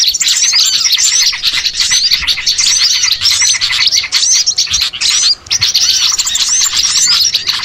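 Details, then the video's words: Many small birds chirping together in a lure meant to gather birds for trapping; unbroken high-pitched twittering and squeaky notes, with a brief lull near the middle before the chatter resumes. "MP3 PIKAT BURCIL AMPUH BIKIN PANEN BANYAK BURUNG"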